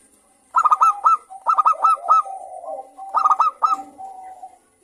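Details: Local zebra dove singing in a clear crystal voice to spur other doves into song: three bursts of fast, bright, clipped notes, each trailing into a gentle purring trill.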